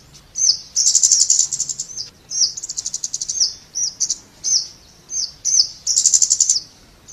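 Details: A scarlet-backed flowerpecker (Dicaeum cruentatum) sings high, thin, sharp notes, some as quick buzzy trills and some as single clicks, repeated steadily throughout.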